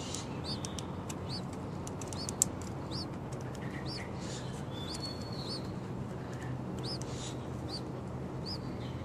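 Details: Six-day-old Yellow-vented Bulbul nestlings give thin, high, upslurred cheeps, repeated irregularly, quiet against a steady low rumble of wind or handling noise.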